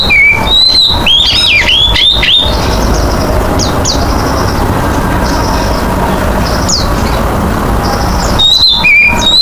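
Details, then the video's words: Oriental magpie-robin singing energetically, used to coax other birds into song. It opens with a run of clear, warbling whistles that slide up and down, falls quiet, then ends with a few high whistled notes against a continuous low hum. "Kicauan Kacer gacor ‼️ cocok buat pancingan"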